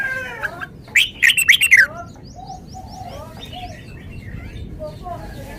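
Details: A caged red-whiskered bulbul displaying its song repertoire: a rapid, loud bubbling phrase of whistled notes near the start, then fainter chirps from other birds in the background.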